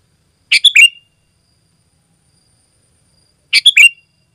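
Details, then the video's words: Sooty-headed bulbul in lively, dense song used to call other bulbuls and tutor captive birds: two short bubbly, chattering phrases of rapid notes ending in a clear downslurred whistle, three seconds apart, in silence. "Suara Burung Kutilang Gacor Rapat Menekan Lawan Paling Ampuh untuk Suara Panggilan dan Masteran"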